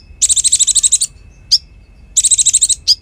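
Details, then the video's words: Konin (Bar-winged Prinia) song for tutoring magpie-robins and competition birds: two rapid rattling trills of about ten notes, each followed by a single high sweeping note. "Masteran Konin Gqcor Nembak Full isian Buat Isian Buring kicau"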